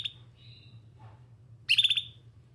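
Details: Canary utters a thin high note, a faint whistled pair, then a loud clipped chirp of rapid pulses; low hum in the background.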